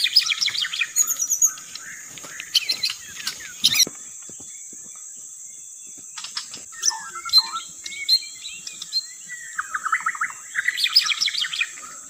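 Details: White-rumped shama song used as a lure: bursts of rich, varied whistles and sharp chirps separated by a quiet pause, with a steady high-pitched tone running underneath throughout.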